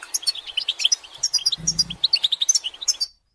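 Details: European goldfinches in a group twittering chorus of mating and readiness calls, used to stir males into song: dense, rapid high chirps and short trills tumbling without pause, with a brief low hum in the middle.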